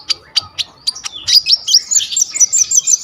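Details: Olive-backed sunbird, called kolibri ninja, recorded on a vivo Y21 phone for training songbirds: several spaced sharp chips, then an accelerating high, rattling twitter of quick warbled notes.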